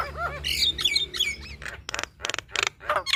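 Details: Female Javan myna in full song: wavering whistled slurs first, then a series of loud, broad rasping squawks roughly every third of a second, over a low constant hum.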